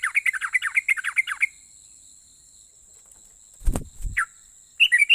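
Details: Sooty-headed bulbul, a lively singer said to provoke other bulbuls into answering, giving a fast run of short chirped notes for about a second and a half, then a pause, a dull thump, and renewed bright chirps.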